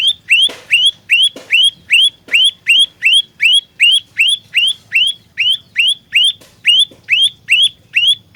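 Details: Lure song of an olive-backed tailorbird used for trapping, styled gacor fighter: a continuous string of loud upslurred whistles, roughly two and a half per second, with a few sharp clicks near the start and faint low background rumble.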